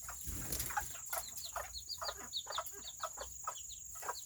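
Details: Serama chickens, the world's smallest chickens, on a rainy Saturday: a busy flock gives many short, soft clucks and quick chirps, overlapping and uneven, with a wing flutter early on and a steady high-pitched whine throughout.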